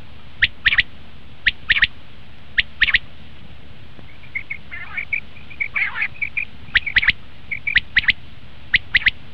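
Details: Common quail call used as a hunting lure: scattered crisp paired notes, with a stretch of softer rasping, buzzy notes in the middle before the sharp pairs resume.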